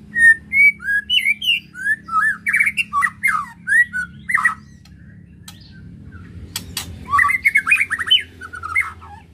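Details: White-rumped shama singing, the song meant to rouse emotion: a rapid run of varied whistled and slurred notes with harsher squawky bits, a quiet gap, sharp clicks, then a renewed burst of whistles over a faint hum.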